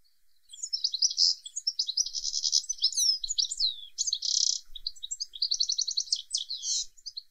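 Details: European goldfinch singing on a windy day in the UK: a fast, tinkling jumble of high twitters, buzzy trills and liquid notes, running almost continuously with no other sounds.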